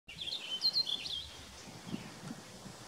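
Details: Purple finch singing from a cedar tree in mixed forest outside Desbarats, Ontario, about 15 meters away, recorded on a Nikon P610. It gives a rich, rapid, warbled phrase of high twittering notes lasting about a second, then faint rustling.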